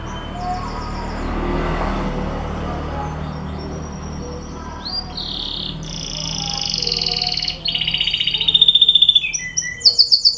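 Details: Canary lure song meant to prompt caged canaries to sing. It opens with muffled background noise, then loud, fast, high trills and whistles come in during the second half, rising and changing pitch.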